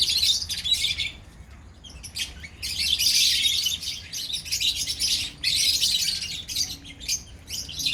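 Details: A colony of lovebirds chatters intensely in long, loud waves of shrill, overlapping chirps, briefly dropping quieter between bursts.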